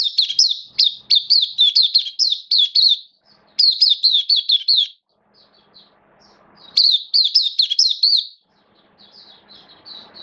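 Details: Hobby oriental white-eye singing in its cage on 11 September 2022: three long bursts of quick, high, sharply inflected chirps, each lasting one to three seconds, separated by quiet gaps with faint background noise.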